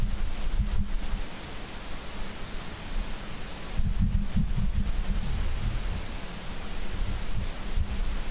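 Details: Steady rumbling wind buffeting the microphone at an osprey nest camera in Charlo, Montana on the evening of 28 September 2023, with no animal calls.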